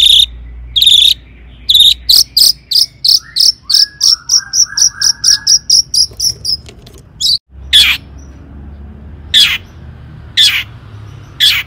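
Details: Long-tailed shrike singing to provoke other shrikes: harsh buzzy bursts, then a long rapid run of sharp notes with soft lower slurred whistles, followed by spaced rasping bursts.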